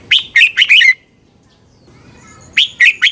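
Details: Thai red-whiskered bulbul singing, a recording meant to stir up caged birds: a brisk run of four or five clear, bouncing whistled notes, quiet gap, then a shorter three-note phrase.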